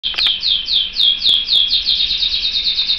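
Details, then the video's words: A canary sings a fast, bright run of high, downslurred chirps, about four a second, in a steady rolling trill. "Vogi der kanarienvogel"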